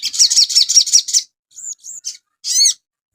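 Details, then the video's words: Caged crimson sunbird song used as a daily master recording for training cage birds: a fast run of high, sharp twittering notes, then scattered thin chirps and a final bright descending trill. "TERAPI BURUNG SOGON – MASTERAN AGAR CEPAT GACOR"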